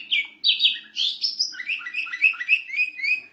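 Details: Singing canary used as a master for teaching others to sing: bright warbled phrases slurring upward, then a string of quick descending chirps repeated about twice a second, steady and melodious.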